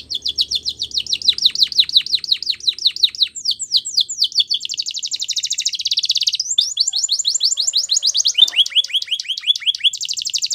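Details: Continuous canary song for training young canaries, with long rolling trills of rapid falling notes that change speed and pitch, including a dense buzzy rattle midway and quick repeated sweeps near the end.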